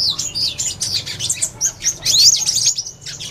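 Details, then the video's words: Purple-throated sunbird twittering quickly in high, squeaky, jumbled notes, with one clearer rising slur near the middle. "Tiếng Chim Hút Mật 5 Màu"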